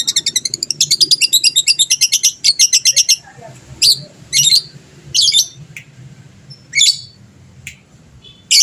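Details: Gacor fighter lovebird meant to set rival birds calling back: a fast shrill string of evenly pulsed high notes for about three seconds, followed by separated harsh squeaky bursts at irregular intervals.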